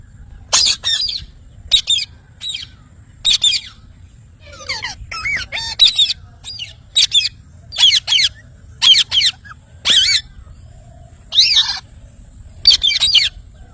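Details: Loud, scratchy parrot screeches repeated roughly every second, with a short tangle of softer, twisting chatter in the middle of the sequence.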